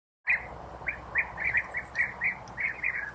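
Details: European bee-eaters feeding their young in nest burrows, having prepared insects for them. Short rolling, trilled notes, repeated roughly every third of a second, with faint background hiss.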